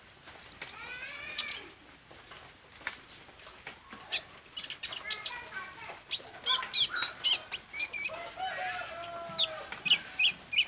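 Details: Olive-backed sunbird in full song while learning to unload its repertoire of learned fill phrases: a dense run of sharp high chirps, clicks and short trills, with some lower whistled slides and rising notes mixed in.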